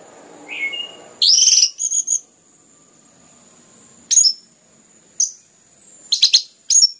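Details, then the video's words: Orange-headed thrush singing densely and energetically, kept to stimulate other birds to sing: a short rising whistle, then loud scratchy high bursts and brief chattering phrases separated by pauses of about a second. "PANCINGAN anis merah ngeplong gacor rapat cocok untuk MERANGSANG bunyi tambah GACOR"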